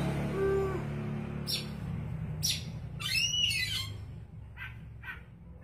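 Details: Oriental magpie-robin (kacer) singing in gacor style: loud buzzy high bursts, then a warbled rising-and-falling phrase, followed by two short notes over a low constant hum and faint tone at the start.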